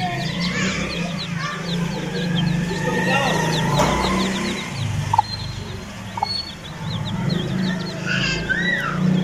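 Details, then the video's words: Aseel chicks peeping, a steady run of thin, high descending peeps repeated rapidly over a low engine-like hum, with a louder clucking note and faint speech in the background. "CUTE ASEELCHICKS"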